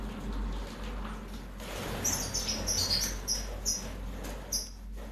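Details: European goldfinch of the subspecies major, recorded in 2019: a quick run of high, thin twittering notes from about the second second onward, repeated rapidly, over a steady low hum and background noise.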